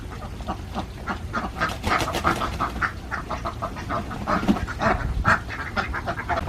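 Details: Alabio ducks, Borneo-endemic layers kept on a Central Java farm, give scattered harsh quacks amid a busy, noisy background with low rumble and occasional clattering.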